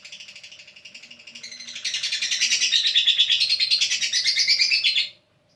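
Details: Shrill, rapid chirping from a lovebird that starts softly, grows louder after two seconds into a dense pulsing chatter, then stops abruptly near the end.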